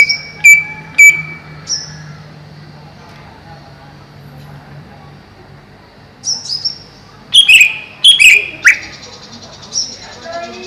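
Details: Greater green leafbird caged above a pond sings clear whistles, then a quick run of loud, jumbled twittering notes with sharp downslurs, repeated about every half second, over a faint steady hum.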